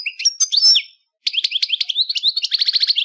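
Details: Cheerful, quick melodic song of a European goldfinch, a bird commonly kept as a pet or bred: high slurred whistles and a sweeping note, a short pause, then a rapid run of twittering, liquid notes.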